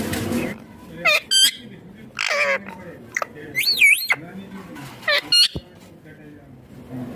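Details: Talking green ringneck parrot producing scattered squawky, speech-like utterances and looping whistled notes, with quiet murmurs between the louder bursts.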